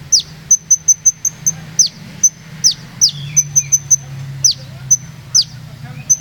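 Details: Olive-backed sunbird of Purworejo singing in a rolling rhythm: clusters of rapid, very high ticking notes separated by sharp downward-slurred whistles and a brief lower twittering phrase midway.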